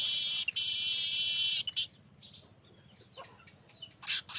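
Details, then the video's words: Baya weaver, played as a lure sound to prompt other weavers: a long, loud, buzzy wheeze held for about a second and a half, then faint scattered chips and a short harsh burst near the end. "BURUNG MANYAR bunyi terus"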